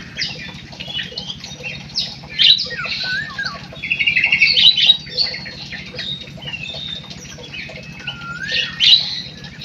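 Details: Munia song of busy high squeaks and buzzy notes, broken by a few clear downward-sliding whistles, louder bursts near the start, middle and end, low background hum throughout.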